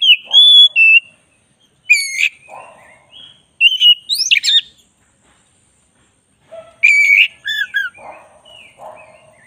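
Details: White-rumped shama, black-breasted form, in a ten-minute master-training recording of a very vocal bird: loud whistled phrases with rising and falling notes and sharp chattering bursts, separated by short pauses, with soft low buzzy notes between phrases.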